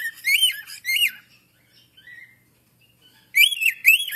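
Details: Bright, harmonic vocal notes from an African grey parrot: two strong arched syllables, a soft low mutter, then two more loud calls after a pause, with no other sounds.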